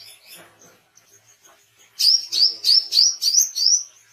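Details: Chatty Oriental white-eye for tutoring caged songbirds and drawing in wild ones: soft faint twitters, then six loud, piercing chirps at an even, brisk pace, each with a slight downward flick.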